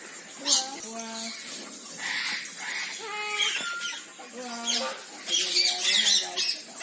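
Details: Red-breasted parakeet, or moustached parakeet, giving nasal, strongly harmonic squawks in short, repeated bursts, some flat and some bending, alternating with rougher, noisy screeches.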